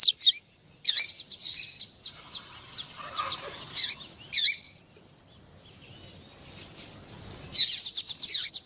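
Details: Double-collared seedeater pair, the female calling to prompt male song: bursts of buzzy and ticking high notes separated by a quieter stretch with faint background hiss.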